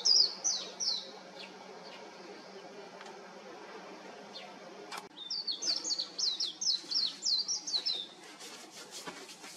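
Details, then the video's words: Warbling white-eye singing from an electric wire, a rapid run of thin, high, twittering notes at the start, then after a sharp click a longer bubbling warble of quick slurred phrases, with faint background hum. "メジロの美声 (4K) / White-eye's beautiful voice (4K)"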